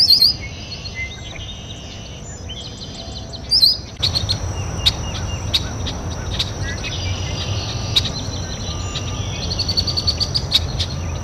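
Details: Red-winged blackbird at a local water basin giving short, sharp chip notes and brief buzzy phrases, with a loud swooping call near the middle, over a steady high insect-like whine and constant low rumbling background noise.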